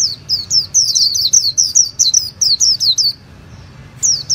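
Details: Japanese white-eye delivering a quick string of high, down-slurred whistled notes, roughly four per second for three seconds, then a brief pause and two more notes.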